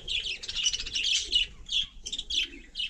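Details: Budgerigar out on snow in freezing frost, chattering in a rapid, scratchy warble of bright chirps that run together in bursts, then break into separate notes.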